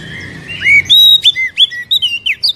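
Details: Oriental magpie-robin singing, a recording meant to stimulate a caged bird into song: a soft opening followed by a rapid run of bright whistles, sharp upslurs and short chirps in varied succession.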